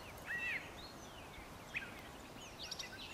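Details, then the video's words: A Brown Thrasher gives a slurred, arching whistle followed by a few short, sharp notes, with faint birdsong and a steady hiss of outdoor noise behind. "Brown Thrasher - vocalizing"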